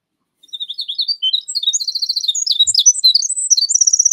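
A Winter Wren pours out a long, rapid, high-pitched song of tinkling trills and warbles with no pauses, remarkably loud for so tiny a bird.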